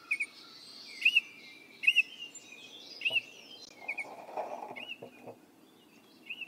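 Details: A Baltimore Oriole (Icterus galbula) sings short, clear whistled notes about once a second, with other birds chirping faintly and a steady outdoor hiss behind.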